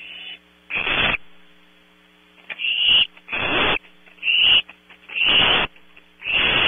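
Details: Close-up PTZ camera on barn owl owlets at night, Audubon Starr Ranch, California: six or seven harsh hisses, some overlapping in quick succession after a brief pause, with steady mains hum.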